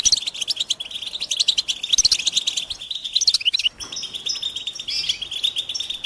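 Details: A flock of European goldfinches calling in open nature, their mating and readiness calls used to draw caged males out of silence. Bright, rapid chattering trills pour out steadily, with a brief lull just before the fourth second.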